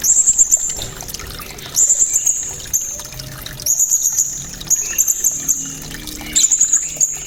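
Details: Cililin-style song of a blue-crowned hanging parrot, kept as a vocal tutor for competition birds. Shrill, very high trilled bursts repeat about every one and a half seconds over a steady watery hiss.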